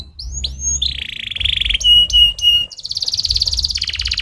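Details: Canary in stimulating song, giving rising slurred whistles that run into a long pulsing buzzy trill, three loud sharp notes, then a fast even high rolling trill.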